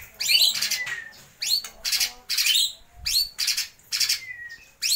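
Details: White-rumped shama in energetic song, imitating lovebird, kapas tembak and pijantung gunung: loud, harsh, scratchy bursts about every second, some ending in a thin descending whistle.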